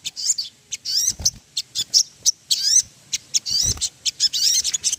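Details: Ruby-throated bulbul song used as a lure to set other birds singing: rapid bursts of high, sharp chirps and upslurred whistled notes in quick irregular series, with brief pauses and a few soft low thumps.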